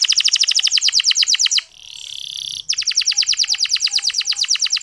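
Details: Local canary singing a clear, long training phrase used to set other male canaries singing: a fast pulsed trill of high notes broken by a brief hissing buzzy passage, then the rapid trill resumes.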